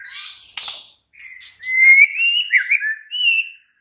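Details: White-rumped shama song used at night to coax a reply; after a few scratchy notes, long pure whistles glide up and waver, ending in a sustained clear tone.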